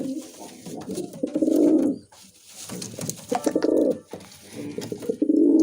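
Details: Indoor recording of a Musaldom pigeon, a domestic breed: three throaty, rolling coos, the first long and swelling, separated by brief pauses and light shuffling noises.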